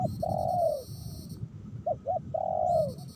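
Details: Wild spotted dove in the Meratus area during a rainy lure-trapping session, giving a long drawn coo that drops at the tail, then two quick short coos and another long falling coo; steady low rumble beneath.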